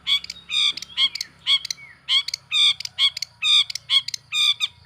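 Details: Long-tailed shrike in vigorous lure song that provokes other shrikes: rasping, nasal, harmonic-rich squawks in quick, uneven bursts, with a faint low hum underneath.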